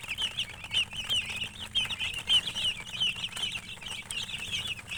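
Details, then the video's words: Hen-coloured chickens give busy, continuous high chirps, several bright peeps per second from many birds overlapping, with occasional louder single notes standing out above a soft low background hum. "silly chicken chirping sounds with murgi hen color chicken"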